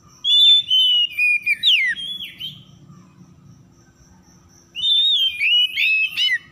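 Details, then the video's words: Oriental magpie-robin (kacer) lure song meant to get silent, stressed birds singing again; a bright whistled phrase of slurred notes, a two-second pause with low rumble, then another loud varied whistled burst. "PANCINGAN PEMIKAT KACER SETRES MACET BUNYI LANGSUNG GACOR"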